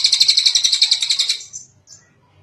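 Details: Long kingfisher call used to train other birds: a dry, rapid chatter of repeated scratchy notes for about a second and a half, tapering off, with a faint high note afterward.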